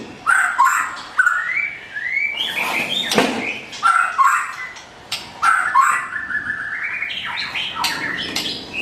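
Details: White-rumped shama with blorok plumage, white feather patches on face, body, wings or tail, singing: varied clear whistled phrases, some rising and sliding, broken by sharp harsh clicks and rasping notes.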